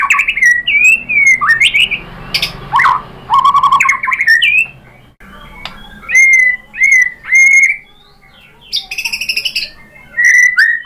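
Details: White-rumped shama (murai batu) used as a lure song to draw other shamas into answering and singing fully. Varied phrases of clear whistled notes, rising and falling slurs and sharp chips, with short pauses between bursts.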